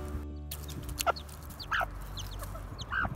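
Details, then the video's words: Serama broody hen and her chicks, only days old and hatched from mail-order eggs, talk to each other while feeding. Short, mid-pitched clucks and chirps come about a second apart over a low hum of background music. "Mummy hen and the chicks talk to each other all the time... Can you hear them?"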